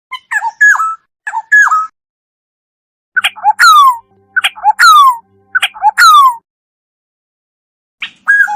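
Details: Black-naped oriole song, recorded without background noise: short liquid, fluty whistled phrases, then harsher phrases with steeply falling, slurred notes, separated by pauses of one to two seconds.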